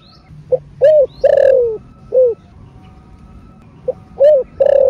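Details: Thổ rền style coo of a spotted dove, meant to spur caged doves to sing. Hollow, mellow notes in two phrases: short pip, rounded coo, a longer wavering note easing downward, then a closing coo, against faint steady hum.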